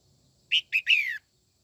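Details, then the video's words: Female red-whiskered bulbul's morning song aimed at rousing white-cheeked males: three bright notes, two short chirps then a longer warbled note sliding downward, clear against a quiet background. "Chào mào mái hót sáng kích trống bổi má trắng nhanh căng lửa"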